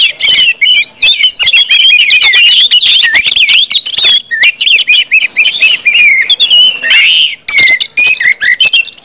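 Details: Continuous ngeplong singing from orange-headed thrushes, meant to stir other birds into song: rapid rising and falling whistles packed tightly together, with crisp clicking notes throughout and a short break near four seconds.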